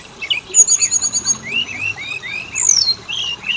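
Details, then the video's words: Oriental magpie-robin lure aimed at making males and females sing: a short high trilled run followed by rising whistled slurs and a loud upswept whistle. "Pancingan burung Kacer; jantan betina langsung bunyi"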